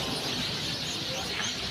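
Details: A large flock of house sparrows chirping in a lit-up tree at a highway villa beside the Sirajganj highway toward Bogura, Bangladesh, a dense unbroken wash of overlapping high chirps; a faint human voice underneath.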